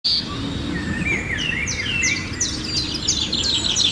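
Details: Myna calling outdoors: a run of quick, sharp chirps that sweep downward, some whistled notes between them, and a steady rustling noise in the background throughout.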